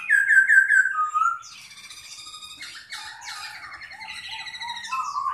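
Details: Caged Chinese hwamei singing as it fans and flutters its wings: a loud clear note repeated four times in quick succession, then a rapid jumble of varied chattering, warbled and whistled notes ending on a rising whistle.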